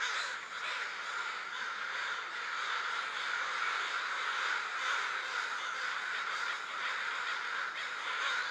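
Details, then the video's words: Gathered crows socializing before roost time, an unbroken wall of grating caws from a large group, steady in loudness from start to finish. "It Gets Noisy When the Crows Gather"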